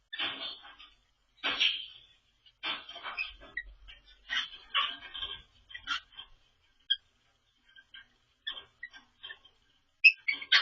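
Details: Pet cockatiel practising an odd, quirky song while a second cockatiel steps on it: harsh, scratchy chattering bursts mixed with short whistled notes, in irregular phrases of roughly a second with brief pauses, ending in sharp clipped chirps.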